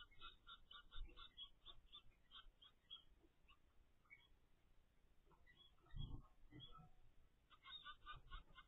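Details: Zebra finch nestlings, ten days old, from a captive pair's first brood: quick runs of short, nasal, harmonic notes at the start and end, a quieter stretch in the middle, and a low thud partway through.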